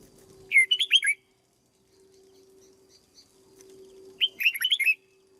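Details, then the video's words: Cage-trained red-whiskered bulbul giving two quick phrases of bright, warbling whistled notes, each about half a second long, separated by a pause, with steady hum behind. "Cách chăm chào mào căng lửa nhanh hiệu quả nhất, cách dợt chào mào mồi"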